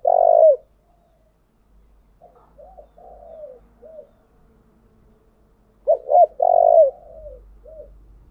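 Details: Decoy song of a spotted dove, used to excite and train birds: a loud drawn-out coo, softer wavering coo phrases, then another strong burst of two short coos and a long falling note, with faint low rumble.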